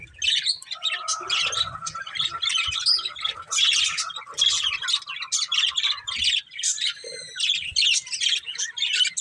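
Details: Breeding pair of budgerigars producing loud squawks and rapid warbling chirps, with a sustained lower whistled tone running under the chatter for several seconds near the start.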